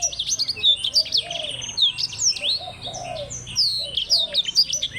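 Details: Blackthroat singing in a contest with a Java sparrow: a dense, fast high twittering warble of sharp slurred notes, run with barely a pause, over a steady series of low, mellow hooting notes.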